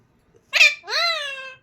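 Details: Parrot imitating speech to say bye, heard as a rough, noisy burst followed at once by a longer upward-sliding, steady, buzzy vowel, indoors with no other sounds.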